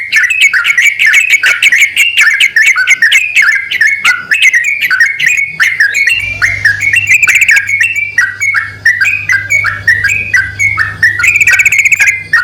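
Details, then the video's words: Pair of yellow-vented bulbuls, male and female, trading calls in a long run of bright, bubbling, up-and-down notes repeated rapidly. A steady low hum swells partway through, and brief high tinkling notes appear near the end. "BURUNG TRUCUKAN JANTAN DAN BETINA SALING BERSAUTAN"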